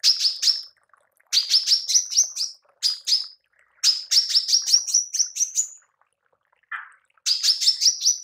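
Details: Female manggar tembakan, used for training songbirds: several bursts of rapid high chips, each lasting about a second, with gaps between them and one lower buzzy note near the end.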